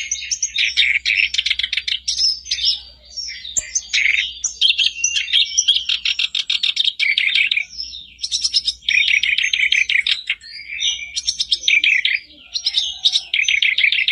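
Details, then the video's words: Sooty-headed bulbul, song used as a daily lure for a caged bird: energetic chattering bursts of rattles and chirps separated by short gaps, sustained throughout. "Buat pancingan harian kerak basi macet pasti langsung on,bikin kerbasmu gacor"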